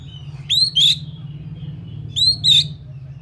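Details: Oriental magpie-robin singing two short bursts of rising whistled notes with a buzzy slurred ending, repeated after a pause, with a constant low mechanical hum behind.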